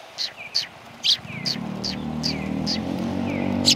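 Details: Sparrows at a bench in a Tenmangu shrine, January 21, 2020, chirp steadily in short notes roughly twice a second while an engine hum rises underneath.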